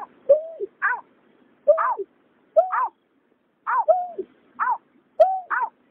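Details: Male and female white-breasted waterhens, linked to night bird trapping, call in a duet of harsh notes. Low bent croaks alternate with higher, downslurred nasal calls roughly every second.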